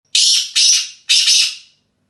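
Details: Black francolin, a Dasi speeder teetar kept in England, gives a harsh, grating call of three loud rasping bursts in under two seconds, the last one split into two parts, against a quiet, clean background.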